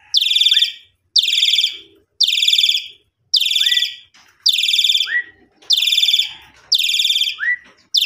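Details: Repeated loud rasping bursts from a caged Asian pied starling, used to coax singing after the owner returns from Lebaran homecoming; about eight grating notes, each followed by a quick rising whistle.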